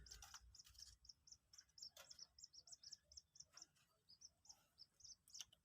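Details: Newly hatched Common Moorhen chick, two days old, kept captive and being taught to take feed, giving a steady run of thin high peeps, about two or three each second, with faint clicks and rustles.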